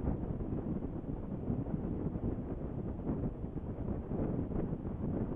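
Steady low rumble of wind buffeting the microphone, with what may be a distant engine, and no animal calls.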